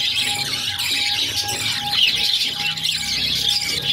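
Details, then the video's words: Budgerigar chicks, six in the brood, begging while their mother feeds them; a thick, scratchy continuous chorus of high squeaks, with a faint steady hum underneath. "Budgies baby feeding || Mother budgies feeding her cute babies"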